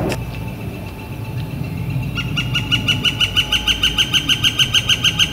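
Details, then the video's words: Northern flicker in spring on a clear, warm April 28 2014 day: after a soft knock and quiet, a loud, regular run of sharp, ringing notes sets in, about three each second, for three seconds. "Northern Flicker Calling and Drumming"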